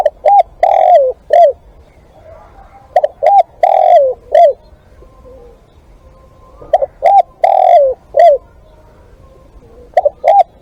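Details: Repeated four-note coo phrases from a spotted dove used as a live decoy, short hoots around a long downward-sliding coo, recurring several times with quiet gaps between.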